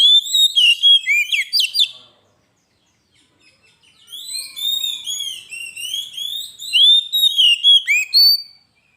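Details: Kacer (Oriental magpie-robin) singing gacor for a lure master: quick staccato whistles, a near-silent pause, then a long run of sweet slurred and rising notes ending in rapid emphatic whistles.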